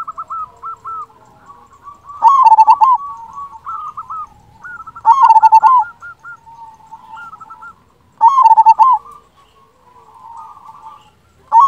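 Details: Local Indonesian zebra dove with a big, frequently delivered voice, recorded as a master track to stir quiet doves: loud rolling, trilled coo phrases about every three seconds, with softer purring coos from other doves between them.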